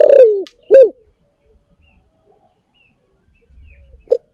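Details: Spotted dove used as a lure sound: a long downward-sliding coo followed by a shorter rounded coo, then quiet, and one faint soft note near the end.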